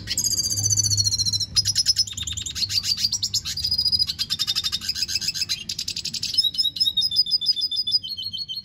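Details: Continuous song of a red siskin: dense rapid trills and buzzes, then a series of short, high, descending twittered notes near the end.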